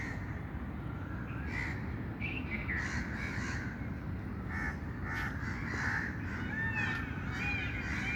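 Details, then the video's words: Harsh, hoarse bird calls in short irregular bursts, several overlapping, over a steady low rumble of wind or distant traffic. "birds chirping sound"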